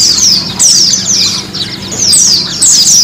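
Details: Pleci, a white-eye, sung for training kept birds to sing; three bright, high descending twitter phrases, each about half a second, separated by short pauses, with a faint low hum.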